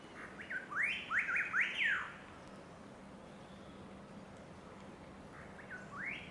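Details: Striated laughingthrush at Chhukha Tashigatshel, Bhutan, giving a quick series of four loud, rich whistled notes that swoop up and down, then one more after a pause, over a steady low hum.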